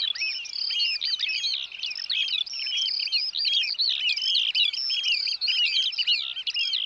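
Eurasian oystercatchers giving shrill, piping notes that tumble over one another in a fast, unbroken chorus with no pauses.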